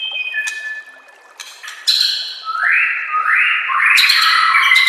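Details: White-rumped shama master song for training shamas: a few steady whistles and clicks, then a loud series of three rising, ringing whistled slurs growing stronger.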